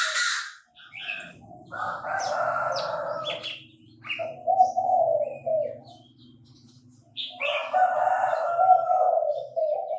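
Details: Crowing of a Chinese francolin in Bình Thuận, Vietnam, recorded where birds are trapped. Loud grating phrases are separated by lower rapid stuttering notes. A faint low hum runs underneath, with brief high chirps from other birds.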